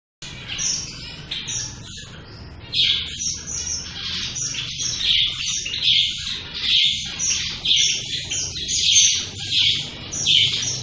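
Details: Several shaft-tailed finches calling: after a brief opening note, a busy stream of short, bright chirps and nasal notes begins near the third second, loud notes coming roughly twice a second over a faint low hum.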